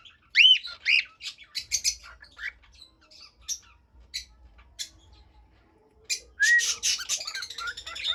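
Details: Pet cockatiel giving two loud arched whistles, then a string of clipped chirps and squawks spaced through a quiet middle, ending with a harsh burst of rapid squawking.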